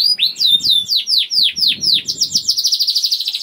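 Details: Young canary song used as a prompt for other canaries: slow, rich falling whistles about twice a second, speeding into a fast, tight trill at the end.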